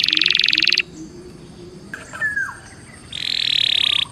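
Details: Belgian canary song meant to warm up: a dense buzzy trill, a quiet pause with a faint sliding note, then the buzzy rolling trill starts again.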